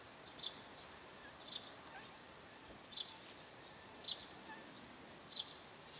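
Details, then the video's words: Eurasian tree sparrow calling persistently from a rooftop in the early morning, around seven o'clock. Short, high, sharp chirps ring out one at a time about every second, five in all, over a faint steady high-pitched hum and background hiss. "スズメの早朝の鳴き声 Tree Sparrow"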